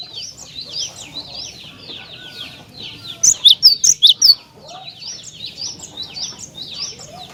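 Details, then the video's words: Cinereous tit song played to spur other tits to sing: a brief loud burst of five or six sharp high ringing notes rises over a steady background of many faint, rapid high chirps from other birds. "Glatik Batu Anda Di Pancing Dengan Kicauan Glatik Batu Gacor Ini"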